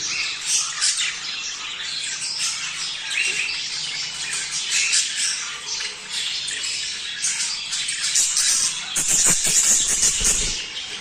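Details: Budgerigars chattering, played to encourage males and females to mate: busy overlapping warbles, clicks and harsh squawks, growing louder and more crowded toward the end.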